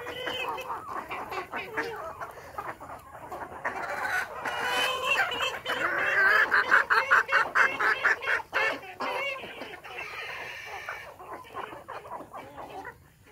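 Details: Village desi chickens on a farm in the morning, where chicks hatch naturally, give rapid, repeated nasal clucks that swell into a loud, busy stretch before easing off, with rustling and knocking in the background.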